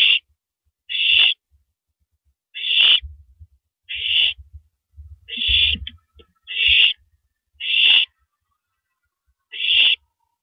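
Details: Eight rasping, breathy bursts at an uneven pace come from a female owl shredding a big rabbit at 3:33 AM on April 9, 2012, with rustling and dull thumps in the gaps.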